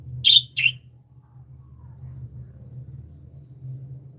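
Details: Happy pet budgies give two quick high chirps in close succession, followed by near silence with a faint low hum.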